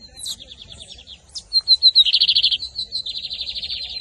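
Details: Caged double-collared seedeater from Brazil singing in the camelão versus torneiro style, 2023 season: a few thin introductory notes, then rapid buzzy trills of repeated high notes, loud and continuous.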